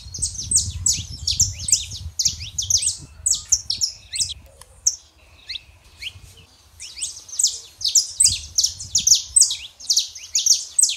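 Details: Saffron finch pair, male and female, song meant to warm up a quiet canary: long dense streams of sharp high chirps with a lull midway, over low rumbling background.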